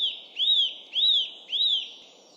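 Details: Eurasian nuthatch in woodland giving its loud ringing call in place of a song: clear, whistled, arched notes, each rising then falling, repeated about every half second, four in a row, over faint low background hum.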